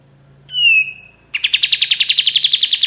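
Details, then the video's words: White-shouldered triller used as a master song for training songbirds: a long sliding whistle followed by a quick repeated trill of buzzy notes, with a faint low hum beneath. "MASTERAN KAPAS TEMBAK PALING DICARI 2024❗️KAPAS TEMBAK GACOR SUARA PAS BUAT MASTERAN BURUNG JUARA"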